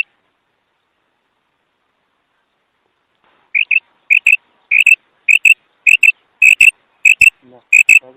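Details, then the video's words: Female common quail call: after a silent start, sharp high notes given in quick pairs, repeated about every half second, clean and loud, with no other sounds around. "مادی بٹیر کی کرک"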